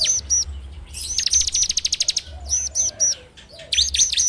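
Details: Ngebrem-style song of a bar-winged prinia, played as a training lure and captured with an Android phone. Paired high chirps open, followed by a rapid burst of clipped repeated notes, then more scattered squeaky chirps.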